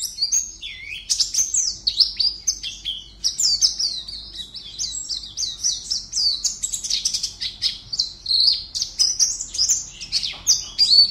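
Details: Caged Oriental white-eye from Pontianak, West Kalimantan, entered as participant 52 in an online singing contest. It pours out a continuous run of high, thin, chirpy twittering notes, rapid and varied, with no pauses across the stretch.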